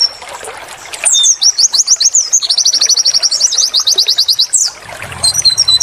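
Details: White-eye training song: a long rapid trill of high, steeply sloping notes lasting over three seconds, then paired whistles with a low hum underneath.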